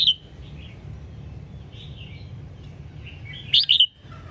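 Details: Red-whiskered bulbul from Sông Kon, Quảng Nam, used to train cage birds: a sharp whistle opening, soft fluty notes, then a loud warbled burst near the end, over faint low hum.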